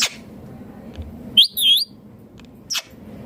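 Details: Green Indian ringneck parakeet mimicking speech with a high, wavering, two-part whistled phrase, bracketed by sharp squeaks, in an otherwise quiet room.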